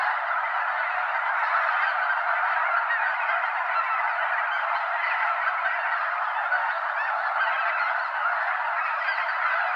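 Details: Flying mega-flock of well over 200 Snow Geese at Wheeler National Wildlife Refuge, Limestone Bay, North Alabama; relentless overlapping honks form a steady roaring chorus from start to finish.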